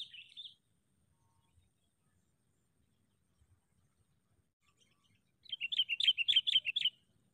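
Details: Decoy sooty-headed bulbul during a bird-trapping session: a brief burst of chirps, a long quiet pause, then a fast run of about a dozen sharp, high chirps lasting roughly one and a half seconds.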